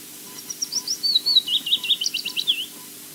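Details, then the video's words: Osprey chick begging at the Loch Garten nest in Scotland, recorded by a nest camera; a fast run of thin, high, wavering whistled notes, rising and falling, about two and a half seconds long, with a faint steady hum. "sound of chick begging"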